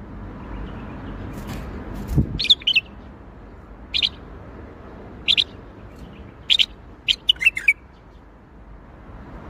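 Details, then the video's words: Bulbul singing in the Baghdadi style: a few scattered, sharp chirpy notes, then a burst of quick, bright warbled notes near the end over a low, steady background hum. "تغريد بلبل طور بغدادي"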